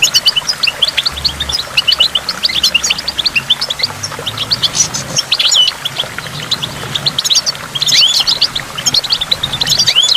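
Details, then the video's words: Goldfinch song by a waterfall with falling water drops. Quick, high, tinkling twitters and chattering trills pour out in busy runs, with a few sliding notes and a low background rumble. "in the waterfall stimulates goldfinch and water drops"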